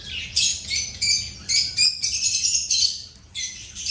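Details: Several birds feeding and chirping: dense, scratchy, high chirps in quick bursts of about half a second, with barely a pause between them.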